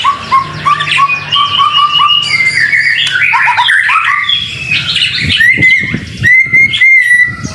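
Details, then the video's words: White-rumped shama, singing vigorously in rainy weather, as a tutor song: a series of evenly repeated short whistles, a tumbling mix of varied notes, then sharp clicks and ringing whistles. "BIRD SOUND IN THE RAIN SUPER SPECTACULER / MASTERAN MURAI BATU GACOR"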